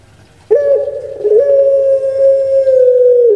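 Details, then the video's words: A kept puter pelung dove, prized for its ringing voice, gives a short coo with a catch, then a long level note that sags slightly at the finish. "Suara Merdu Menggema //Puter Pelung"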